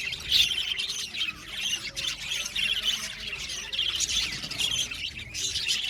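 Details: Budgies in an aviary colony, a dense wash of high, rasping squawks and chirps from many birds, with louder bursts at the start and middle.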